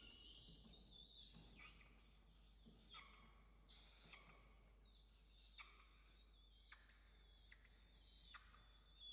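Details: Peregrine falcons at a nest in Orange, Australia, during an evening feeding on 5 November 2021, with adults and a chick present; shrill, harsh calls are repeated in overlapping bursts, faint against steady low hum.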